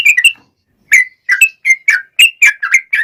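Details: Sooty-headed bulbul singing energetically in a long rapid song meant to prompt other bulbuls to reply; short whistled notes rising and falling, a brief pause, then a quick series of about ten clear chirps.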